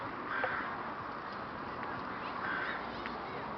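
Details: A flock of rooks in Boscawen Park, Truro, on 08/01/2021: a dense, steady wash of overlapping cawing from many birds, with a few harsher calls rising above the din at about two-second intervals.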